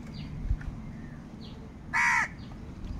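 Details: A single loud, nasal caw lasting a quarter second rings out as crows fight over food, with faint distant calls and low steady background hum around it.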